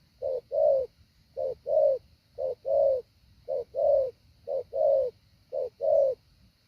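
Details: Training decoy spotted dove repeating a two-part coo, a clipped short note then a fuller rounded one, six evenly spaced pairs at roughly one-second intervals against a quiet background.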